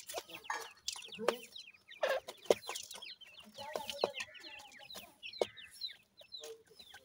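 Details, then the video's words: Several young grey francolins, male and female, chirping steadily with thin descending whistled peeps that overlap in a busy chorus. Occasional loud taps and a few lower clucking notes are also heard. "teetar chicks male aur female ke sound"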